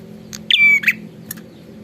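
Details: One loud prinia phrase from a vigorous singer, a buzzy start sliding into a level whistle and a harsh end. A brief tick comes before it and a short click follows, over a faint low hum.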